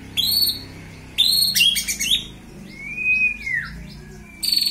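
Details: Pet white-rumped shama riled up to build fighting mentality, giving high ringing whistled bursts, a long arching clear whistle over faint chirps, and another sharp high burst at the end, with low background hum.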